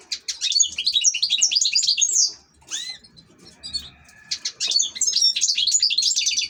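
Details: Cage-kept European goldfinch pouring out rapid, tinkling twitters, pausing with a few slurred downward notes, then resuming an energetic jingling phrase.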